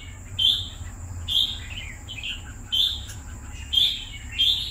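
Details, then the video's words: Red-whiskered bulbul held two years in a cage sings short, clear whistled phrases spaced about a second apart, each a bright rising-falling note, against a soft steady hum. "Merbah Jambul Kesayangan Hamba"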